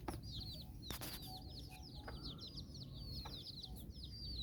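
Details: Hen chicken and her nine chicks exploring outdoors in Bizkaia, Basque Country; a steady stream of high arched cheeping notes from the chicks, a couple of sharp clicks and faint low clucks.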